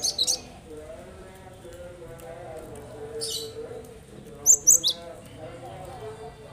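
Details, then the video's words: Cinereous tit calls used to prompt lazy caged birds into singing: a short burst of high sharp chirps, a faint high buzz, then a quick cluster of three bright notes, over a low steady hum. "Burung yang malas bunyi dengarkan ini insyaallah langsung ikut bunyi"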